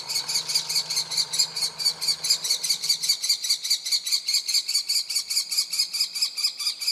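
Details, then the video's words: Begging young common kestrel giving a steady, unbroken series of shrill, high, strongly harmonic calls, about two or three per second throughout, with a faint low hum in the background early on. "common kestrel young bird is calling. Turmfalke Jungvogel bettelt"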